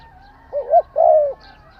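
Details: Spotted dove cooing: one short phrase of two mellow, low hooting notes, the first brief and wavering, the second longer and drawn out, then quiet.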